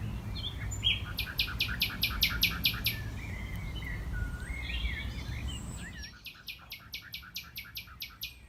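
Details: Nightingale song from a tree platform at Knepp rewilding land, West Sussex, May 2018: two bursts of loud, evenly spaced percussive notes, about eight in quick succession, separated by varied sliding whistles, over steady low background rumble; a blackbird sings nearby.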